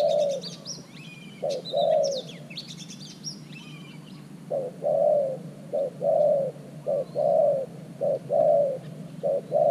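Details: Decoy spotted dove, newly acquired, cooing at an earth-mound trap to draw in wild doves. Busy high chirping from other birds opens, then a steady run of low short-long coos.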